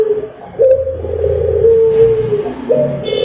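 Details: Barbary dove song, played to lure other birds into singing: low, drawn-out cooing notes held at a steady pitch with short breaks between them, over a constant low rumble like passing traffic.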